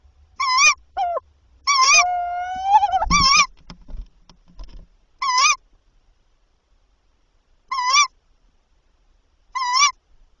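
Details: Prey transfer at night between tawny owls, 7–8 April 2023, the male bringing three prey before 1 am. Short, wavering, harmonic calls repeat every two seconds or so, with one longer drawn note and some soft scuffling noise in between.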